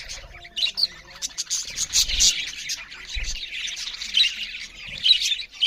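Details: Budgerigars chirp loudly while feeding; clear, high, buzzy warbles and sharp chirps come in uneven bursts, with a few low thumps in between.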